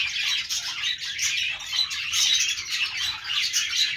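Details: Budgerigars, Australian parrots, chirping: a dense, continuous chatter of overlapping high-pitched chirps, squeaks and warbles with no pauses across the four seconds, like several birds calling together; no other sounds stand out.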